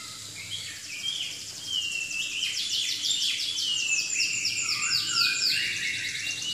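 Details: Chinese hwamei pouring out a varied song: slurred whistles that build into fast, buzzy trilled series of rapid repeated notes, ending on lower descending whistles, with faint hiss behind.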